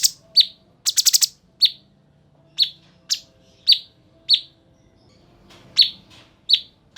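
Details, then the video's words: Bulbul (cucak cungkok) singing vigorously, a tutor recording for training cagebirds such as shamas: sharp high piercing chirps spaced about a second apart, with one quick burst of four dry rattling notes, over a quiet background. "Cucak Cungkok Gacor Isian Sangar dan Tajam"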